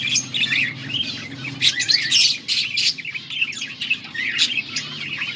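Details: Budgerigars recorded August 14, 2024, a dense chattering chorus of quick scratchy chirps and warbling twitters, overlapping and continuous, with louder bursts of harsh chatter midway and a faint low hum underneath.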